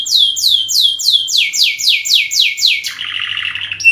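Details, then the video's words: Canary singing a long lure song: evenly repeated descending swoops, roughly four per second, followed by a quick trilled rattle and a short high whistle at the end; low hum underneath. "masteran burung kenari gacor panjang untuk pancingan"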